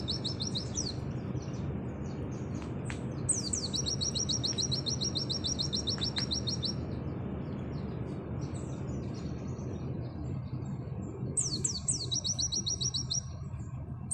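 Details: Oriental white-eye in nembak style with canary-like phrases: descending whistled slurs leading into long, fast, high trills lasting about three seconds, repeated after a pause, with scattered chirps and low hum.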